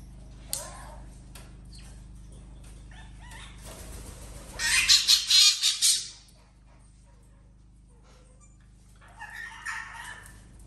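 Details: Parrots kept in a house room alongside other animals and a dog: scattered flutters and clicks, then a loud, harsh, pulsing screaming burst lasting about a second and a half, and a softer raspy outburst near the end.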